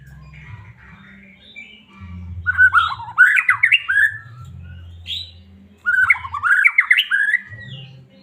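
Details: White-rumped shama from Medan singing, used to provoke a caged shama into song; two bursts of loud, rich warbled phrases with rapid rising and falling notes, separated by a pause, over a low background hum.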